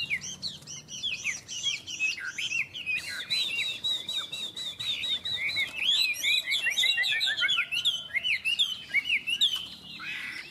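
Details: Two Chinese hwamei singing against each other in a contest, both unowned: dense, rapid run of varied whistles and slurred notes, overlapping phrases growing busier and louder toward the middle.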